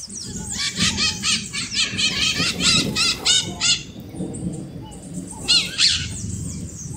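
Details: Fast, uneven string of harsh, buzzy maritaca parrot calls, then a lull and a final pair of screeches, with a low rumble throughout.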